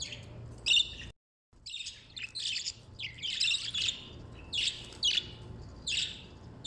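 Budgerigars chatter in quick, scratchy chirps and warbles, several bright bursts each second, with a brief silent break early on.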